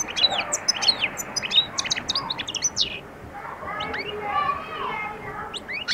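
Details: European goldfinch at the start of singing and attacking. Rapid bright twitters and upward-flicked notes at first, then softer slurred lower notes and more chirps toward the end.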